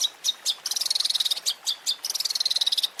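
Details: Long-tailed shrike (cendet) champion fill from a masteran compilation: loud separate high chips alternating with fast, dense chattering trills.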